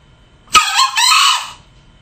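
A male red junglefowl gives one harsh, hoarse crow lasting about a second. It starts with a sharp burst, rises into a strained middle and cuts off abruptly.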